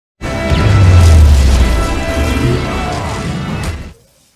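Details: A loud, booming crash of noise lasts about four seconds and then cuts to silence, with no animal voice.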